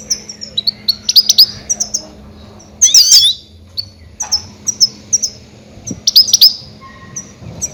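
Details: Goldfinch crying loudly as a decoy to trap grey-headed goldfinches: quick high twittered notes in small groups, broken by one harsher, buzzy, sliding squeal in the middle, then more clipped chirps.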